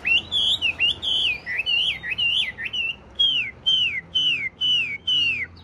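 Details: Caged Chinese hwamei, a tame large-bodied bird with blue eyes, singing a run of loud whistled phrases that slur up and down, each repeated about twice a second with short gaps. Faint low hum in the background.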